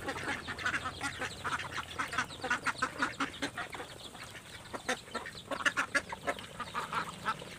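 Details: Ducks squabbling over scattered feed: rapid nasal quacks in bursts, some loud and clipped, others trailing off, overlapping throughout with brief quieter gaps.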